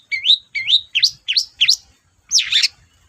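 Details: Long-tailed shrike singing vigorously, meant to stir silent cendet: a quick string of six bright, rising and twisting whistled chirps, followed after a short pause by a fuller, rougher chirping phrase.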